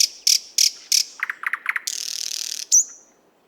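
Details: Nightingale singing in a Moscow park: four loud sharp high notes, a run of lower rapid slurred notes, then an extended buzzy trill and a final high whistle, over faint background hiss.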